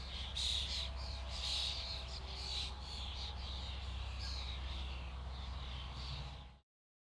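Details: Flocking common starlings pour out fast, dense chattering and squealing notes in repeated bursts over a low background hum, before the sound cuts off abruptly.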